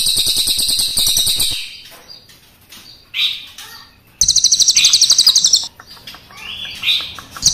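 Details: Crested jay, black and brown birds, giving rolling song: a rattle fading out, scattered chirps, then a renewed burst of fast buzzy pulses lasting about one and a half seconds.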